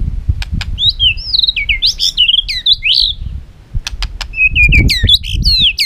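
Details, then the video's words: Caged white-rumped shama (chòe lửa, murai batu) giving stimulating fighting song: high fluttering whistled phrases around 3–4k, sharp ticks, then fast upswept notes, with some low thumps. "hót dụ chim kích lửa hót đấu căng lửa"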